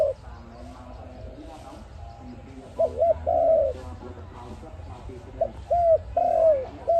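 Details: ARIMIX dove, recorded for trapping. Coo phrases of paired short notes and a long falling note come midway and again near the end. Soft chirps and faint voice-like sounds fill the gaps.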